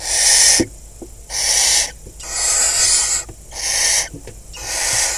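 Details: Barn owls nesting in a box at Kibbutz Snir, northern Israel, late May 2020, with five young, as a rodent is delivered and the pair mates; five loud, breathy, hissing screeches about a second apart with faint taps between.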